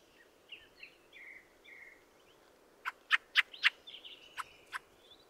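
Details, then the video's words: Fieldfare (Turdus pilaris) song: faint, thin, squeaky whistled phrases slurring around the mid-high range in the first half, then a burst of loud, sharp, dry chattering clicks near the end, over steady low background hiss. "The song of the Fieldfare"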